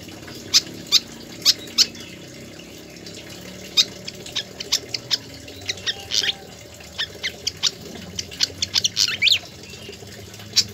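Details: Pied fantail singing vigorously with full song, recorded as a tutor track for training other birds: a run of short sharp chirps and squeaky notes at irregular intervals over a faint steady hiss.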